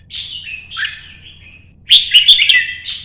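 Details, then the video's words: Caged red-whiskered bulbul singing to challenge rivals: a softer wavering whistle trailing off, then a loud, emphatic bubbling phrase of quick, bright notes. "CHÀO MÀO | Nắng sớm solo chạy cầu hót đấu kích chim T730"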